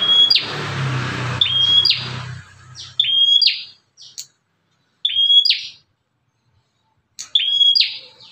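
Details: Bar-winged prinia out of a cage, whose call lures other prinias; crisp flat whistles ending in a buzz, given in pairs every two seconds after an opening stretch of music.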